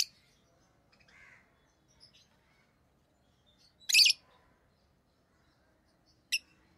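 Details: Tame rosy-faced lovebirds in orange-faced green and red-headed green colours utter sparse, piercing single chirps several seconds apart, with a brief soft chatter between them.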